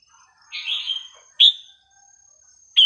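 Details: Red-whiskered bulbul singing to teach young birds: a drawn-out buzzy warble, then a single sharp clear whistle and a third loud note at the end, with quiet gaps between.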